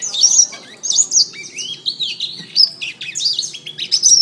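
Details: Domestic canary singing a master tutor song for training other songbirds: bright, piercing twitters and short descending whistles tumbling in quick succession, with slight dips between phrases.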